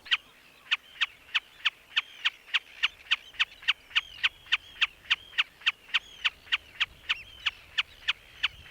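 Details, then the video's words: Common snipe calling in summer on Grimsey Island, northernmost inhabited island off Iceland, among nesting seabirds; it repeats a sharp, clipped note about three times a second in a steady, even series over faint background hiss. "I've got a common snipe that's calling back here. You can hear it."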